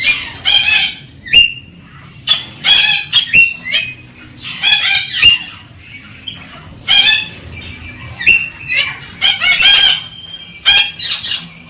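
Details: Galah cockatoo calling to stimulate a female to mate: loud, harsh, rasping screeches in quick bursts, often paired, repeated irregularly through the passage with brief pauses between.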